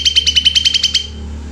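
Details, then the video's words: Greater green leafbird phrase of nine or ten fast, sharp notes in about one second, each a bright stuttering chip over a steady high tone, then fading, with a low hum behind. "SEMUA cucak ijo IKUT RESPON dan LANGSUNG EMOSI dengan tembakan cucak ijo ini"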